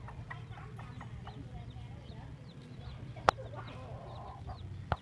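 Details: Hen and her restless chicks on a road leading to an elementary school in Vietnam; sparse high chick peeps and soft clucks over a low rumbling background, with two sharp loud clicks near the end.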